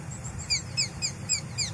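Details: A Blue Jay mimics a Sharp-shinned Hawk as a false predator alarm, reportedly fooling a chickadee: a quick series of five sharp, downslurred kek notes about four per second, over a low background hum.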